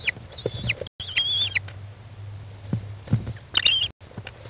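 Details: Inside a nest box, an American kestrel mother feeds chicks aged 15 days, 20 May 2011, 13:54; high, slurred whining notes open the recording and return near the end, with soft thumps and rustling between.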